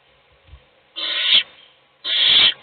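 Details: Adult female owl feeding one chick in a nest box, other chicks asleep; two long, harsh hissing screeches about a second apart, preceded by a faint soft thump.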